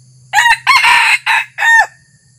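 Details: Red junglefowl decoy cock on its first outing, crowing to lure wild birds; four loud harsh syllables in a rapid run, the final note drawn out and dropping, over a low steady hum.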